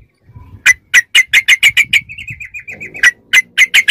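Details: Sooty-headed bulbul in ropelan style, for training captive songbirds: crisp, even chirps repeated several times a second, broken by a soft warbled trill, then the sharp chirps resume.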